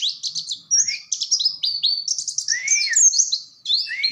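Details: Oriental white-eye in bright fast song, short high chirp bursts and sweeping whistles with some lower arched notes between.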